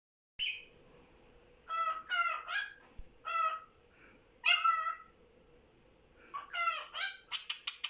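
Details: A pet cockatiel calling for a budgerigar companion from out of sight and saying Japanese greetings ("welcome home", "good morning"): rich, warbling calls in bursts, ending with a quick run of sharp chirps.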